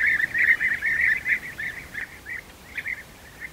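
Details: Feeding of young European bee-eaters at the nest; loud rolling chirps crowd together at first, then thin out into spaced single trilled notes that grow quieter toward the end.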